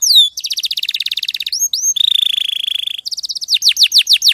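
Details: Canary song in clear quality: a fast rattling trill, a few swooping notes, a lower rolling buzzy tour held over a second, then quick descending whistles.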